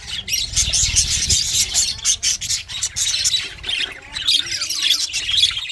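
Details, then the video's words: English budgies, kept as pet parrots, giving a continuous scratchy warble of high chirps and squawks, with faint low rumble underneath. "English Budgies parrot 🦜 beautiful singing chirping sounds"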